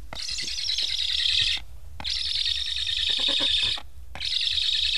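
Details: Hungry Black stork chicks at a nest in Estonia, recently fitted with transmitters, begging while parents return but leave without feeding them; harsh, wheezy, high-pitched chorus in long bursts of about 1.5 seconds separated by short pauses.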